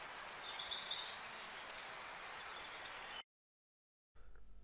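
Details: Short-toed treecreeper (Certhia brachydactyla), a garden bird, song: one short, somewhat bumpy phrase of thin, very high notes ending with a brief rise, over steady background hiss.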